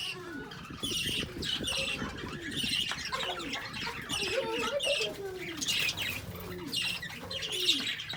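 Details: Several lovebirds chattering nonstop with dense high twittering chirps, while lower curved, cooing-like notes repeat beneath them and a faint hum runs throughout.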